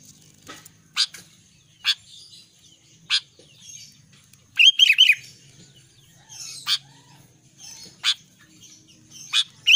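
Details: Albino sooty-headed bulbul singing: sharp single chips spaced about a second apart, broken midway by one short, bubbly phrase of looping whistled notes.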